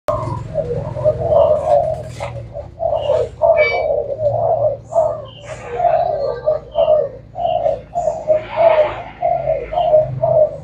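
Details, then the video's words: Caged spotted dove of the Thai black strain, said to coo all day, giving a run of low, hollow coo phrases roughly every second over a steady low electrical hum. "Cu gáy thái đen chơi tối ngày"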